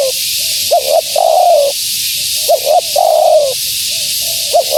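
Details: Spotted dove, female, calling to attract wild doves: low soft coos lead into two quick notes and a long, gently falling coo, the pattern heard twice, over steady hiss.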